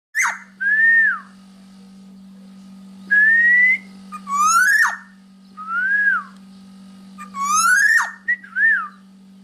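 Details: Black-naped Oriole singing vigorously, used as a tutor recording for training other birds: fluty slurred whistles near one pitch alternate with harsh, rising nasal notes rich in overtones, over a steady low electrical hum.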